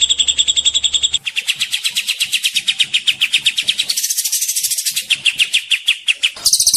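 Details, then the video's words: Ashy tailorbird (cililin), a very loud songbird often used as a song tutor, singing a fast run of sharp, high chipping notes, about eight a second, in abruptly joined bursts that shift pitch. "Burung Cililin Kapas Tembak"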